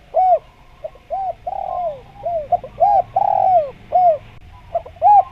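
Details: Spotted dove calling vigorously, used for luring wild spotted doves in Java. Repeated mellow coos alternate between brief hooked notes and longer, slurred, downward-trailing phrases with short pauses between, over a low background hum.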